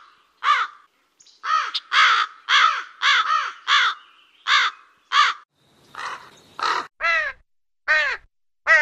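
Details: Rapid series of rough, grating crow caws, mostly short and clipped, coming in quick irregular bursts of about a dozen calls. A few later caws sound clearer and more drawn-out.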